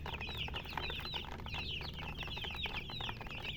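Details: Baby chickens chirping in a group: high, rapid, slightly falling peeps repeated over and over, several chicks overlapping, over a steady low background rumble.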